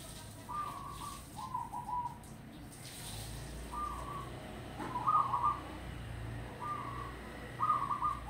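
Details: Wild local zebra dove recorded in Grobogan, delivering a series of short, bubbling trilled coo phrases about every one to one and a half seconds, some notes louder and more staccato, against steady low rumble.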